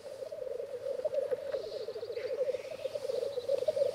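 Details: Lekking black grouse cocks displaying and sparring for females in an arena: dense, steady bubbling rookooing fills the whole stretch, with faint hissing notes and gurgles over the top.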